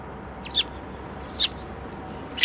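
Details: Sparrows including a yellow-beaked bird, recorded 15 February 2018: three brief high chirps about a second apart over a steady low background hum.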